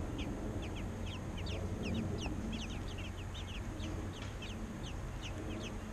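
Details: Robin babies being fed by their parents, chirping steadily in a fast series of thin, high downslurred notes, roughly three to four per second, above low steady noise.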